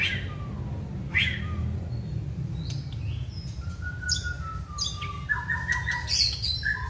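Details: Wild-caught White-rumped shama, second season, kept caged and singing when stimulated: sparse clear whistled notes and short phrases, some level, some stepped, over a constant low rumble.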